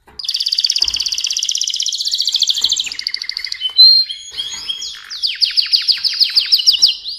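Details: Mosaic canary delivering a sustained buzzy high trill, a few pure whistled notes, then a series of swooping down-slurred chirps repeated about twice a second.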